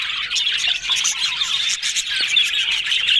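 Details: Happy talking from a group of yellow budgerigars: a thick, scratchy warble of overlapping chirps and squeaks with no pauses, a few clearer whistled notes breaking through.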